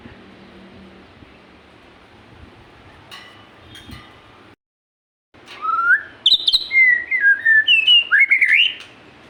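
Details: Magpie-robin singing: after several seconds of low background noise and a brief silence, a lively string of varied whistled notes rising, falling and warbling, some crisp chips mixed in.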